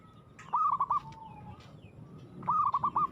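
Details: Zebra dove, the local perkutut, in aggressive song: two short bouncing coo phrases of four or five quick notes each, about two seconds apart, fairly faint against a noisy background.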